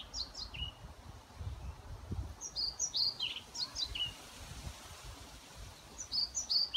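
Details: Singing European pied flycatcher in Sundsvall, Sweden, late May 2018, at a care home: repeated brief phrases of high, clipped, descending notes, three strophes in seven seconds over steady low environmental rumble.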